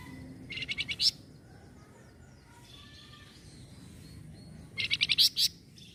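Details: Two quick bursts of high, sharply repeated chirps from a small minivet, each about half a second of five to seven notes, separated by several seconds of faint distant bird calls.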